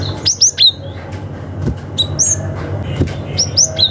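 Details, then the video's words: Cinereous tit, wild forest bird, calling rivals; used as a lure for young wild birds. Short sharp whistled notes sweeping down, given in quick pairs and triplets, over a steady low hum. "SUARA gelatik batu ngalas manggil lawan - cocok untuk PANCINGAN gelatik muda hutan"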